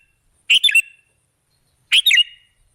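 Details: Two short, liquid, bubbly phrases from a sooty-headed bulbul (kutilang), each a quick run of three notes, heard as a lure meant to attract other birds.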